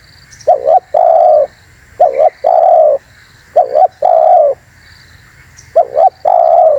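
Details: Terkukur, or spotted dove, whose call serves to lure birds: low mellow coos in a steady pattern of a brief double note and a longer held note, four times, over faint continuous hum.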